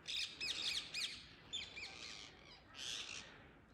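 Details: Wild Indian ringneck parakeets calling from a tree in the early morning: harsh, screechy squawks in quick bursts, several in the first second, then further grating calls at about 1.6 and 2.8 seconds.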